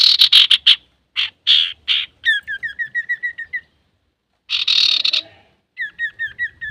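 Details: Male Common iora in full song, played to provoke other birds: loud rasping chatter, then a run of short, evenly repeated whistled notes with a downward flick, another harsh burst, and the whistled series resuming.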